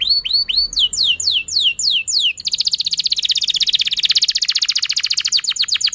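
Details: Canary song for stimulating other canaries: several rising then falling slurred whistles, followed by a long, very fast rattling trill that continues to the end.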